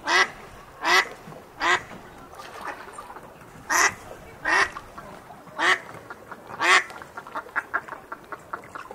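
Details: An adult duck gives loud, harsh, nasal quacks about once a second, then breaks into a quicker run of softer, shorter quacks at the end.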